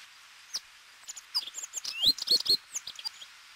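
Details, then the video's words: A Corn Bunting, recorded in Corrèze, France, as a rare or passage bird, gives a burst of high, dry, jangling chirps and ticks, ending with three quick sharp notes, against a quiet background. "Bruant proyer-Emberiza calandra"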